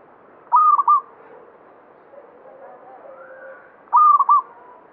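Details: Actively singing local zebra dove, banyumili song: two bright, stammering coo phrases about three and a half seconds apart, with quiet lower coos in between.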